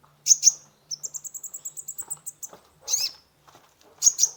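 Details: Sunbird (kolibri ninja) full song used to lure a stressed caged bird: a double chirp, then a fast even trill of about fifteen tiny high notes, followed by more sharp doubled chirps.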